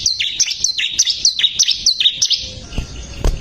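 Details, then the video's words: Bar-winged prinia song used to train caged songbirds: about eight high notes, each dropping sharply in pitch, repeated roughly every quarter second, then quieter noise with a couple of clicks. "ciblek gacor masteran handal"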